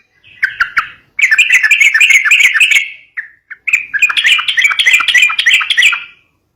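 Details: Song of a yellow-vented bulbul in fighting style, aimed at prompting young birds: a few sharp lead-in chirps, then two long runs of fast, busy, bubbling notes.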